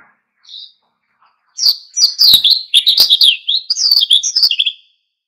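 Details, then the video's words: Lively 'ngalas' singing from an oriental white-eye, intended to spur other birds to sing: a lone high note, then a few seconds of rapid, tumbling high-pitched twitters and chirps before silence. "SUARA PLECI GACOR NGALAS PANCING EMOSI BURUNG LAIN IKUT GACOR"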